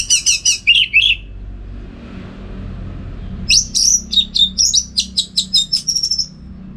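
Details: Orange-headed thrush in full contest-style song for training other birds: fast strings of clipped high notes, a short pause, then a long run of rhythmic, repeated chirps over faint background rumble.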